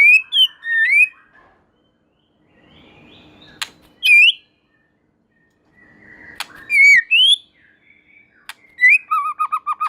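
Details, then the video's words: White-rumped shama whose song makes other shamas sing along: clear whistled phrases with slurred rising and falling notes, separated by pauses, ending in a quick series of repeated whistles. "Murai Batu Gacor Super Mantul Murai Lain Otomatis Ikut Bunyi"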